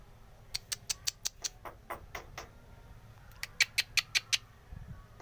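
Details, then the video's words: Starling song used to encourage young starlings to sing: rapid, sharp, clipped notes repeated in two quick bursts, about three per second, separated by a short pause, with a faint low thump at the end. "Suara khas jalak manggut-manggut, cocok untuk pancingan jalak muda & bahan, supaya cepat gacor"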